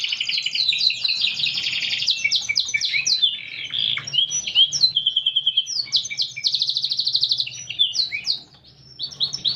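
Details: Energetic canary 'gacor' song: rapid trills, clipped chirps and slurred whistles pour out in quick succession, with a clear fast-pulsed trill midway and a brief silence near the end.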